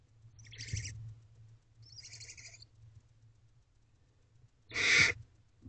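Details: Nighttime feeding of barn owl owlets inside a nest box, the female seeing that the younger chicks eat; two thinner raspy hisses early, then one much louder, harsher hiss near the five-second mark, with a low electrical hum beneath.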